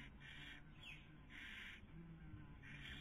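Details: Barn owl pair on a nest camera in Cabañeros National Park, Spain, 2020 breeding season, female feeding, male trying to sleep; three long rasping hisses sound in a row over faint low hum.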